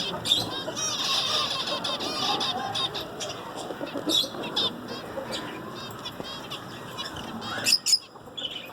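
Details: Dense zebra finch singing: continuous buzzy, raspy notes layered thickly at the start, then sparser chirps and a sharp burst toward the end.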